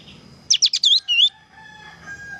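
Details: Light-vented bulbul in a master tutor recording: one brisk, bright phrase of quick wavering whistles, three short notes, then a twisting warble and a final looping whistle, followed by quiet with faint steady tones.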